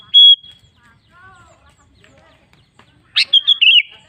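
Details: Sooty-headed bulbul lure song meant to make caged birds answer: a clear, steady whistled note opens, then after a quiet gap a loud, bubbly, tumbling phrase of several linked warbled notes, with faint soft sounds in between.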